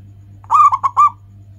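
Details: Local zebra dove singing anggungan, a cooing song used to get other birds singing; one clear burst of four resonant coos, a long first note followed by three shorter ones and a slightly longer last, over low hum.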